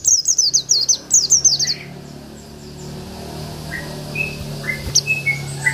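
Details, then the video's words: Local Oriental white-eye giving isian-style song for tutoring: a quick volley of high, downward-slurred whistles lasting under two seconds, followed by faint scattered chirps over a steady low hum. "PLECI BIKIN EMOSI LAWAN || Pleci Lokal || Pleci Isian"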